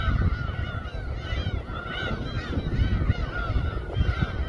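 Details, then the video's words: A gull chorus at Samgilpo Port, Seosan, Korea, circling a boat where raw fish is cut: repeated arched, squealing calls overlapping steadily, above deep engine noise. "회뜨는 선상 갈매기 합창"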